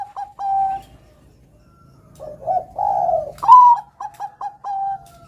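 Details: Bangkok zebra dove singing actively; the end of one phrase, a low mellow coo from another dove, then a fresh phrase of a high whistle, quick stuttered notes and a sustained closing coo.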